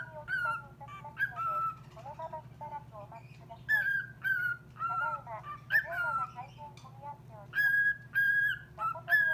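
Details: A cockatiel reacting to a call-center operator's recorded voice sings in quick bursts of warbling, slurred whistles, each phrase under a second long with short gaps between, over a steady low hum.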